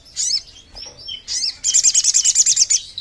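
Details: Lure call of a Sogon bird: a few thin high chirps, then a fast, evenly spaced string of about eleven piercing notes lasting over a second.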